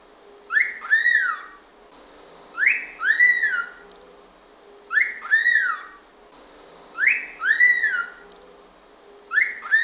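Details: Cockatiel whistling lesson meant to teach the bird to whistle: a two-part phrase, a sharp rising note followed by an arched falling whistle, repeated about every two and a half seconds against a low steady hum.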